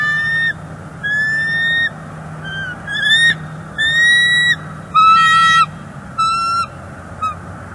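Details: Bald eagle at a northeast Florida nest, 30 January 2024, vocalizing displeasure toward an intruder on the lookout branch: a run of loud level whistled notes mixed with brief chattering, rougher bursts, about one per second, over low hum.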